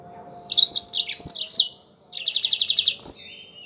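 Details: Energetic mozambik (yellow-fronted canary) song used as training audio for songbirds: a run of varied warbled, sweeping phrases, a brief pause, then a quick series of about ten buzzy trilled notes and a closing high whistle over a low constant hum.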